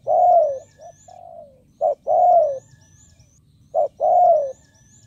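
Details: Spotted dove used as a decoy to lure wild birds, repeating a clipped short note and a long warm descending coo roughly every two seconds, with faint high chirps from another bird in the background.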